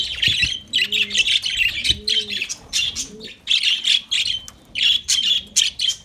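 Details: Lovebird song of continuous high, scratchy twitters and chirps in pulsing bursts, with a soft cooing call heard early on.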